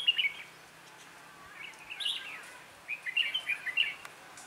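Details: Red-whiskered bulbul, a trainee decoy bird used in trapping on 11/12/2016, sings to lure wild bulbuls: bright warbled phrases of quick rising and falling notes, two bursts separated by a short pause, over light background hiss.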